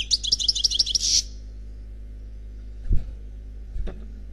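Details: Unpaired European goldfinch performing Khalwi-style song from a CD: one rapid, rattling trill of bright repeated notes ending in a buzz, followed by silence broken only by two soft low thumps.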